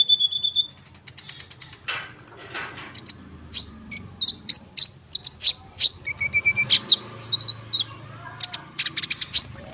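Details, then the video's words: Konin bird singing actively in a dense rolling song, used as a lure to get sunbirds to respond. High, sharp chirps and whistled notes come in quick bursts, with a brief buzzy trill near the start and a sustained thin whistle. "konin gacor ngerol suara rapat untuk pancingan kolibri bahan cepat respon"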